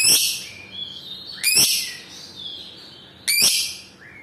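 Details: Lovebird from a lure recording for training young birds to trill: three loud, sharp, high chirps spaced about one and a half seconds apart, each trailing into a thin falling whistle.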